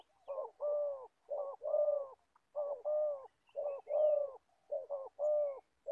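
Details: Old decoy spotted dove used for trapping in Gia Lai sings repeated low hollow coos, each phrase a brief lead note then a sustained one, evenly spaced and clear against a quiet background.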